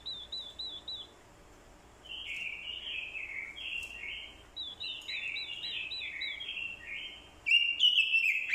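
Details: Decoy orange-headed thrush answering a female's call with fighting song: quivering wavy whistles, then a rhythmic run of repeated descending slurred phrases roughly every half second, ending in a loud scratchy warbled burst.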